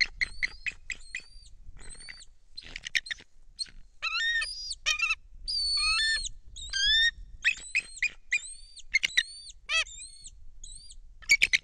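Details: Bald eagles at a Kisatchie National Forest nest, 10 December 2023, as a foreign female flies in with a fish and another eagle is airborne: thin, high, squeaky piping notes in quick stuttering runs, some slurred downward, with faint wind rumble.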